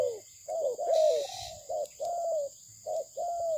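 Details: Malaysian-bred spotted dove, called good-voiced, giving soft low coos in short irregular runs, each note bending downward, with a brief rustling noise partway through.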